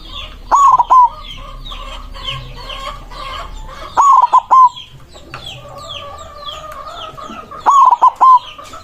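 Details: A white zebra dove with a big voice sings to call rivals. It gives three loud cooing phrases, each a long note followed by short broken coos, about every three and a half seconds over constant high twittering of small birds.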